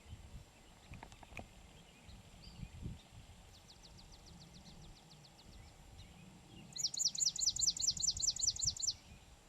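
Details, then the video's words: Swamp Sparrow song in Pennsylvania: a faint, thin trill of evenly spaced notes comes first, then a louder rapid trill of about twelve repeated high chirps lasting two seconds. Low rumbling background noise. "Swamp Sparrow and Ovenbird - Songbirds of Pennsylvania"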